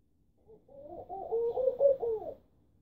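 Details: Laughing dove, a tame species recently settled in central Istanbul that will even nest indoors, delivering one soft, low, chuckling coo phrase of rising and falling notes lasting about two seconds.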